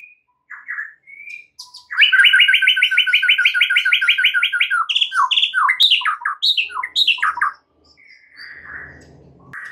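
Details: White-rumped shama lure song to spur other shamas to sing and learn new phrases: a loud, fast rattling trill of paired notes lasting several seconds, followed by a jumble of sharp, varied whistles.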